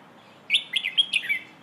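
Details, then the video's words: Red-whiskered bulbul singing a phrase in the pleng ho style, used to teach young birds: five quick, bright whistled notes, rising and falling, then a lower slurred ending, after a short quiet lead-in. "เพลงโห่ เสียงฝึกร้องนกกรงหัวจุก"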